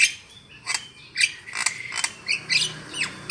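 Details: Lure call of a Javan myna for trapping birds: grating, buzzy notes mixed with short slurred whistles, several rising and falling squeaks.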